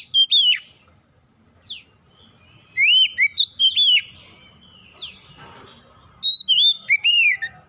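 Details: Oriental magpie-robin song used to trigger untrained magpie-robins to sing: short bursts of clear whistled, warbling notes and steep downward-swept whistles, separated by pauses of one to two seconds, soft background rumble.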